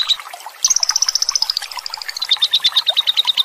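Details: Lovebird long ngekek song used to stimulate other lovebirds, with gurgling water: a single chirp, then a fast run of high notes starting loud and slowly descending in pitch, ending in a steady rattle.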